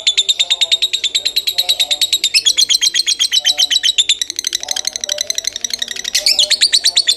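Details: Lovebird singing Kebon Kopi style: a sustained rapid series of shrill, clipped notes, shifting in pitch several times across seven seconds, with faint lower warbling sounds behind.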